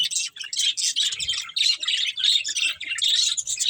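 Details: Budgerigars eating green food chirp in quick, rhythmic bursts of bright, scratchy, high-pitched twitter, roughly one to two bursts every second, nearly continuous throughout.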